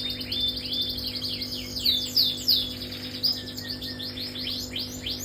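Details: Canary in continuous song, known as durasi 30up: fast rising chirps and thin high trills in close succession over a steady mechanical hum.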